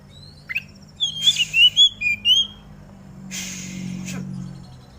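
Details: Oriental magpie-robin set out in the morning dew, singing to get other magpie-robins singing: a short run of six clear, slurred whistles that dip and rise, with a faint high chip before and a hiss of noise after.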